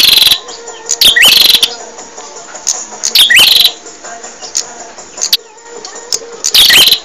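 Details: Bar-winged prinia song prepared as a training recording for caged birds: loud, sharp, high chirping bursts in short sets roughly every two to three seconds, with a faint steady hum and other soft chirps underneath.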